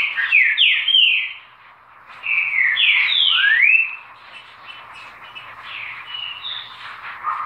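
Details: Green-winged saltator singing two loud bursts of rich whistles, with notes sliding down and then sweeping upward, separated by a short pause, over a steady hum of other birds calling.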